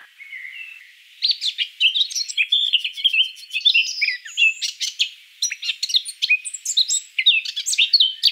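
A Eurasian Blackcap sings a rich, fast warble of varied fluty notes and twittering phrases, starting with a soft quiet prelude before bursting into a loud, tumbling flourish.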